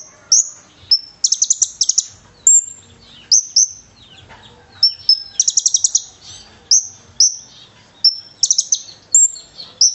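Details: Konin in energetic full song, filled with cililin-style phrases, as a training recording for fighter birds: high, thin whistled notes alternating with quick buzzy trills, phrases repeated about every second, clean background.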